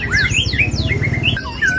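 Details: Caged black-throated laughingthrush at a bird market kiosk in West Jakarta sings loud, varied whistled phrases with rising and falling slurs, over a steady low rumble of background noise.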